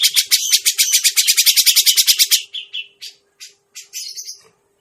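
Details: Grey-cheeked bulbul lure sound for trapping birds: a quick, even train of harsh rasping notes, about four per second, for two and a half seconds, followed by a few scattered short, softer calls; a faint low hum underneath.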